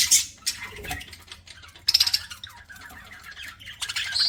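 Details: Budgerigar chirps heard while the birds eat: sharp scratchy squawks and short clicks in irregular bursts, louder at the start and near the middle, with quieter chatter between and a low hum behind.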